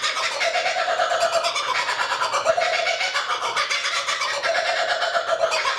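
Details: A lone laughing kookaburra perched quietly in a tree by Tuggerah Lake, Australia, gives a loud, raucous cackling that rises and falls in rolling bursts for the whole stretch, with no other sounds clearly heard.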